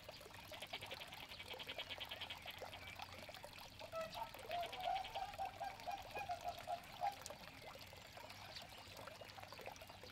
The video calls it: African pygmy goose (Nettapus auritus)